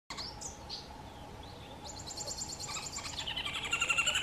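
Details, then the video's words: Green wood hoopoe gives its cackling call, said to sound like laughing women: a few thin high whistles, then rapid chattering notes that quicken and swell louder. "Green Wood-hoopoe calling"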